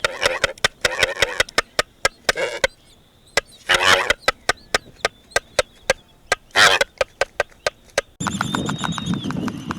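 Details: Black-footed Albatross at a breeding colony, sounding off during mate selection or disputes with others of its kind: sharp, rapid bill clacks in quick series, broken by hoarse, braying, whinny-like calls and rasping bursts.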